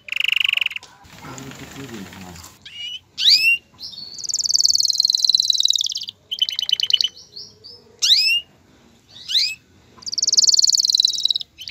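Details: Canary male in full song to prompt a female toward mating and nest building: sweeping upward whistles, long dense high trills and stuttering rattles in varied phrases separated by brief gaps.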